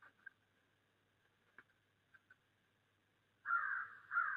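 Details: Crows in snowy December, wild. Faint scattered ticks and soft sounds fill the first few seconds, then two loud, harsh, drawn-out caws follow in quick succession at the end.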